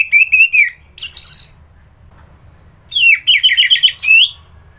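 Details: An orange-headed thrush in full song sings rich, varied phrases of high slurred whistles and harsh scratchy notes, in bursts separated by short pauses.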